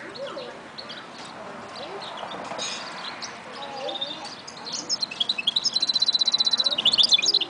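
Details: Goldfinch mule song rising out of low background chatter and noise, building into a rapid, regular high trill with sparkling twittered notes at the end.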